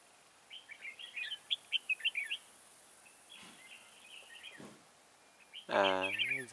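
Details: Red-whiskered bulbul serving as a trap decoy to attract birds: a rapid burst of jumbled, lively warbled notes, a quieter phrase, then loud human speech at the close.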